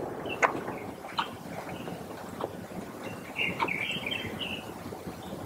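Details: Greater necklaced laughingthrush (Pterorhinus pectoralis) giving scattered sharp chipping notes, then a quick burst of mellow whistled notes, over a steady hiss of wind or distant traffic.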